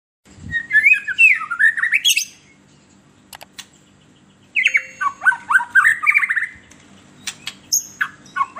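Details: White-rumped shama song used as a lure to stir captive birds: two long bursts of rapid, varied whistled notes sliding up and down, mixed with sharp clicks and high trills, separated by a short quiet pause.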